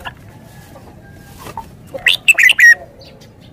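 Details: Red-whiskered bulbul singing a lively phrase of four or five sharp, sweet whistles that dip and rise, followed by a lower soft note, with faint scattered chirps around it.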